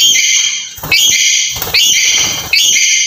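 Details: Black-capped lory, lure sound to get a quiet bird calling: continuous loud, harsh harmonic screeching, calls overlapping closely with fresh onsets about every second.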